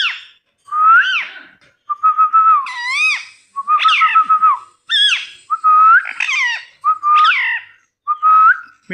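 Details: Rose-ringed parakeet talking, repeating a two-part phrase over and over, each a level whistled tone sliding into a sharp rising screech, in a small room.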